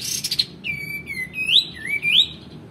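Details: Male white-eared bulbul, kept as a tutor for other songbirds, opens with a short rattle before gliding, slurred whistles that dip and rise in a fluid phrase.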